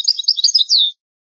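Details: European goldfinch in an old recording of its original song, giving a quick run of high, jangling chirps that ends in a drawn-out falling twitter, with no other sounds.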